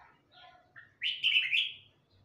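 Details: Red-whiskered bulbul of the Huế type, a young bird just learning to sing: soft low notes, then a loud buzzy warbled phrase lasting under a second, rising and wavering, followed by quiet.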